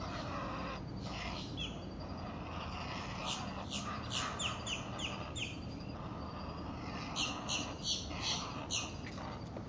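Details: Two Great Blue Heron chicks in the nest at breakfast, begging when a parent arrives with food: rapid harsh clacking and chattering bursts in clusters, over steady background hiss.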